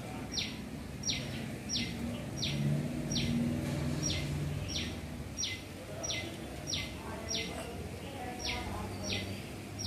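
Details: A shikra, a small bird of prey, in a garden looking for prey gives sharp, high, downslurred notes repeated steadily about every two-thirds of a second, over a low rumble of distant traffic or wind.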